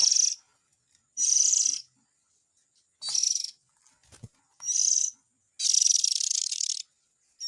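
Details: Oriental magpie-robin chick calls meant to attract the parents: loud, buzzy, hissing rasps, one stretched to over a second, spaced irregularly. A faint steady high tone and a brief click occur between them.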